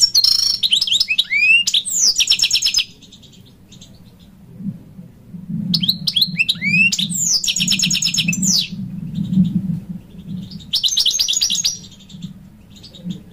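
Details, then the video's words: A wild European goldfinch sings in bright bursts of tinkling, liquid twitters and buzzy trills, broken by short pauses, over a low steady hum. "حسون خلوي يبدع بالتغريد"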